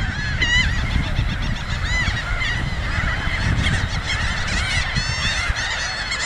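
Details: A crowd of laughing gulls feeding along a beach in Cape May County, southern New Jersey, with a ring-billed gull nearby, gives overlapping nasal, arching yelps rising and falling every fraction of a second over a steady low rumble of wind or surf.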